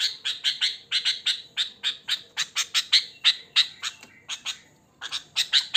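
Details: Wild sooty-headed bulbul with natural voice and no learned fill: a fast series of short, harsh chattering chirps, repeated about four per second with a brief pause near the end.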